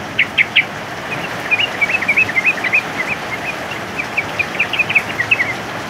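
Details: Male sooty-headed bulbul singing during heavy rain: short bright whistled and chirpy notes in quick bursts, some paired, scattered across six seconds over a steady hiss of rain.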